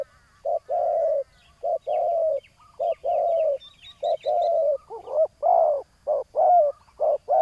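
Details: Spotted dove used in ground-level decoy trapping, calling to lure a rival: short low coo notes each followed by a longer purring coo, repeated about once a second, with faint higher chirps from other birds in the background.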